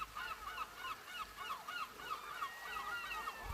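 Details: Early-morning gulls in the rain, giving quick runs of short nasal calls that each rise then drop. They come about three a second with fairly even spacing, over constant rain hiss.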